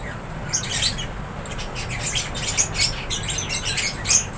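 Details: Lovebirds in an aviary chirp and squawk in shrill, high bursts, several overlapping in quick irregular runs over a low room hum.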